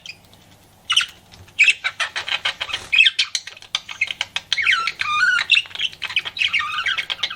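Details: Pet budgerigar flirting: a quiet start, then fast chattering chirps building into twisting, squeaky warbled phrases with rising and falling notes.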